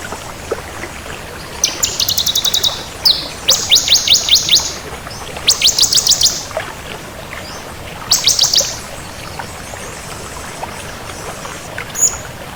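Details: Crystal bar-winged prinia singing energetically in repeated phrases of fast, high, metallic notes and rattles, five bursts with pauses, a faint chirp at the end.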